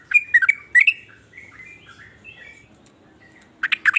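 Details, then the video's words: Sooty-headed bulbul giving varied song that sets off other bulbuls: a quick cluster of bubbly notes, then soft drawn-out whistles, and a loud burst of chirps at the end. "ber macam" suara trucukan ini bikin trucuk lain iri jadi langsung ikut bunyi"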